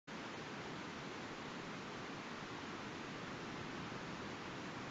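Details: Continuous broad hissing noise like surf or rushing water, steady in level, with no animal calls heard.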